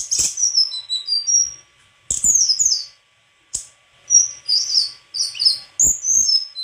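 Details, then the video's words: White-throated flycatcher singing in short bursts of high, sharp whistled and twittering notes separated by brief pauses, with occasional clicks. "Sikatan krongkongan putih suara gak kalah sama burung kicau lain"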